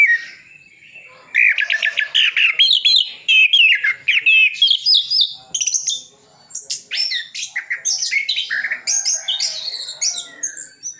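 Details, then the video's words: Fast, varied song of an orange-headed thrush in Sidoarjo, East Java, rich in imitated sounds. Rapid chattering notes climb in pitch, then break into high sharp chirps and short whistles. "Anis Kembang isian full"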